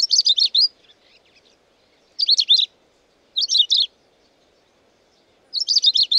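A long-tailed rosefinch sings short, bright warbled phrases, each under a second, repeated with pauses of one to two seconds; nothing else is heard.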